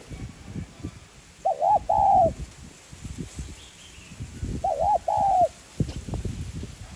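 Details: Spotted dove cooing, a lure call used to stimulate trapping birds: two cooing phrases, each a short double-hooted note followed by a longer drawn coo, about three seconds apart, over rumbling background noise.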